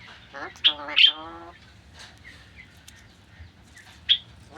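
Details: Alexandrine parakeet giving a harsh, nasal squawk with stacked harmonics, followed by faint short chirps over a low steady hum.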